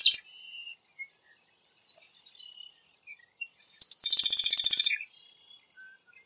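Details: Marsh wren with scattered high squeaky and buzzy notes building into a loud rapid mechanical rattle lasting about a second, then trailing soft chips.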